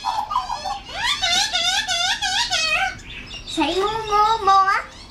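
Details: Juvenile wild Australian magpie among adults being fed mincemeat in a backyard in the morning gives loud, nasal, wavering squawks in two long bursts, rich in overtones.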